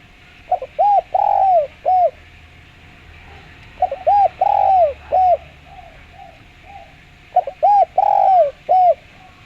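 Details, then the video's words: Spotted dove with a clear voice, used as a lure: low, mellow cooing phrases of about five notes, one drawn out and sliding, repeated three times roughly every three and a half seconds over a faint steady hum. "Derkuku suara jernih buat pancingan"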